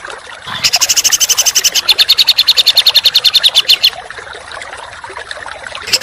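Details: Contest songbird training material in the close, coarse 'tembakan' style: a fast, buzzy, high-pitched burst of evenly spaced notes lasting about three seconds, then quiet with a faint hiss and a brief note at the end.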